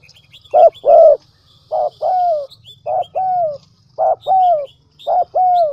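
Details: Decoy spotted dove from the Vietnamese Central Highlands calls in clear phrases of two quick coos then a sustained descending note, repeated roughly every second, small birds twittering in the distance.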